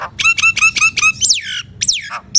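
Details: Nias hill myna singing as a lure to prompt silent mynas to sing: four quick, harsh, nasal notes with rich overtones, then two loud, swooping whistles that slide downward, ending with a short high note.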